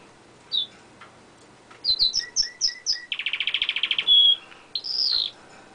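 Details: Caged-pet canary on a window ledge in full song: a few sharp chips, a series of descending whistled notes, then a fast buzzy trill, a pure held whistle and a rising slurred phrase.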